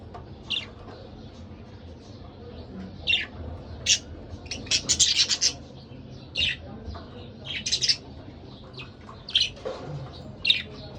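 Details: Pet budgerigar pair chattering: bursts of scratchy, buzzy twittering notes repeated throughout, loudest in a dense cluster around the middle.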